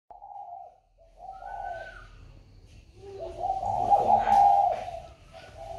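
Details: Spotted dove, just sold and placed in a box, still calling as usual: low hoarse coos around a steady pitch in two bursts, the second longer and louder, with a faint higher whistle in the middle.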